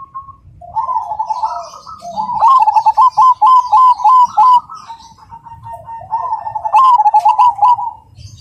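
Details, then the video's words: A Cemani zebra dove gives its loud, clear, rhythmic song: a soft rolling trill, then quick runs of clear, bubbling coos, repeated twice, with faint chirps of other small birds above. "Perkutut Cemani Gacor Suara Berirama Besar Lantang dan Jernih"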